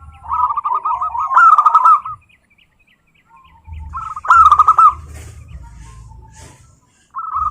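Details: Two loud phrases of quick, bubbling cooing notes from local zebra doves, separated by near silence, a third phrase starting at the end, with low rumbling noise between; played to coax other doves into song.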